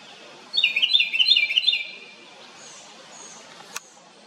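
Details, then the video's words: A little house wren on a farm makes a loud, fast, bubbling chatter of high notes for about a second and a half, then falls quiet over a soft outdoor hiss. "A little bird(house wren) makes a LOUD noise. 작은 새가(굴뚝새) 큰 소리를 내네요."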